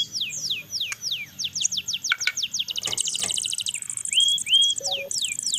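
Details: Crested jay chicks, being hand-fed and trained, begging with rapid, high, down-slurred whistles about three a second, then a burst of dense buzzy notes and a few short rising whistles.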